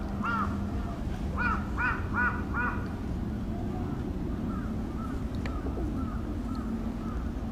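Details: Crow giving what is described as an earthquake warning call at Aoba-no-Mori Park on 28 May 2017: a burst of five hoarse, arching caws in quick succession, then fainter scattered caws over a steady low hum of background noise.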